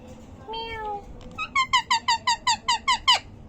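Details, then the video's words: Asked for a cat's meow, a talking parrot gives a short drawn-out wail, then about nine rapid, evenly spaced, sharp yapping notes that the owner calls a dog's sound, indoors. "Bolne wala tota"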